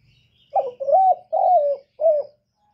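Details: Spotted dove giving a 'kích bổi' lure call meant to stimulate other doves: a phrase of four soft, low cooing notes, a short first note, then two longer slurred coos and a brief closing coo, with a clean, quiet background.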